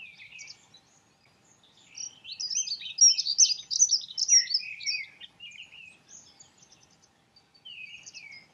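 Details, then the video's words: A dunnock (Prunella modularis) sings a rapid, jangling warble of high squeaky notes for about three seconds, with softer fragments before and after. "Dunnock sings. Heckenbraunelle singt."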